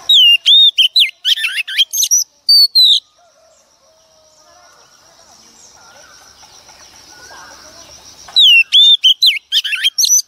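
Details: A wild-caught female Oriental magpie-robin sings to stimulate males: dense loud bursts of whistles and twisting slurs, a quiet gap of faint hiss and distant sounds, then another rapid, distorted burst.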